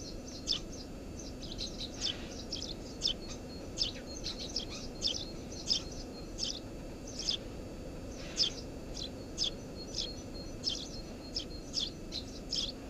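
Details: Eurasian tree sparrow nesting under a house roof: a busy series of short, high, sharp chirps, sometimes doubled, coming every half second or so over a steady low background hum.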